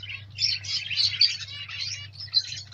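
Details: Pet zebra finch chicks, freshly hatched, make busy high-pitched chirps and buzzy squeaks in clusters, with a constant low hum underneath.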